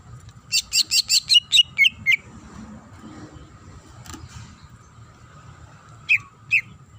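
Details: Greater green leafbird, a female calling the male, gives a quick burst of about eight sharp piercing chirps, then near silence broken by a soft note and two isolated downslurred whistles.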